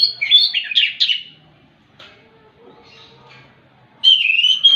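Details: Relaxed morning singing of an Orange-headed thrush, meant to stir other thrushes into song: a rich warbled phrase of mixed whistles, a near-silent pause of three seconds, then a bright wavering whistled phrase.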